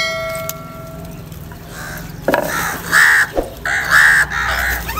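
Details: Crows in a fighting, angry exchange while calling for food: after a tonal hum, a run of four loud harsh caws about once a second, with thuds and rustling between.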